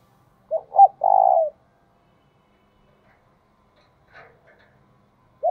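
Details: Caged decoy spotted dove cooing 'thúc bổi' style: two sharp hoots run into a sustained, trilling coo lasting about half a second. Silence follows, with a faint chirp, before the next coo begins.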